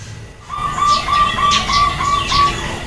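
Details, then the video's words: Female zebra dove calling to stir males into answering. A series of soft, evenly spaced pulsed notes at a steady pitch runs under sharp, high chirps from other birds. "SUARA PERKUTUT BETINA, BIKIN PEJANTAN DAN OMBYOKAN SALING SAUT"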